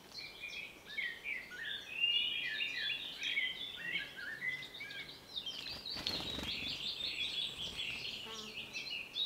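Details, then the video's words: Male common chaffinch singing bright, rapid descending phrases of chirps, with other birds chattering in the background and a brief burst of noise midway. "SAMIEC ZIĘBY || A MALE CHAFFINCH- Birds Chirping"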